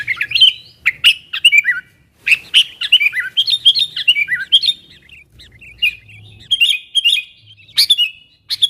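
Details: Sooty-headed bulbul calling to wild companions, a recording meant to lure wild birds closer: bubbly, slurred whistled notes in quick runs, interrupted by sharp broadband clicks, with a short pause just after two seconds.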